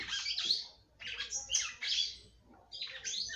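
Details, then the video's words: Female red-cowled cardinal singing to rouse her mate: three or four harsh, scratchy phrases, each under a second long, separated by short gaps. "FÊMEA DE GALO DE CAMPINA CANTANDO MUITO PRA FOGUEAR SEU CAMPINA."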